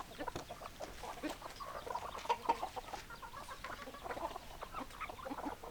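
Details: Flock of hens giving continuous overlapping clucks and murmuring calls, fairly even in loudness, a few sharper notes rising above the crowd.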